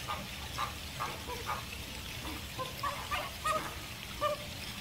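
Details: A flock of American flamingos (Phoenicopterus ruber) gives short, nasal, goose-like honks, several birds overlapping at irregular half-second intervals over a steady murmur from the flock.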